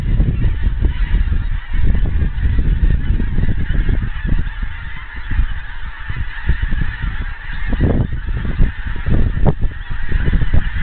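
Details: Countless wild geese flying in Scotland, their voices coming nearer from a distance; many honking calls pile on top of one another, with a few louder honks standing out near the end over a steady deep rumble.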